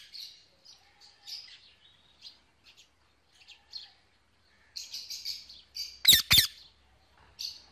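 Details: Evening calls of a pet male Indian ringneck parakeet calling his mates: quiet scattered chirps and twitters, a denser chattering burst, then two loud rasping screeches in quick succession, followed by softer chirps.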